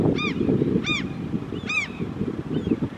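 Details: Whooper swans with young in the mountains near Hammerfest, Norway, seen during a hike: four loud, nasal, trumpeting honks spaced under a second apart, the last one fainter, over steady low wind rumble.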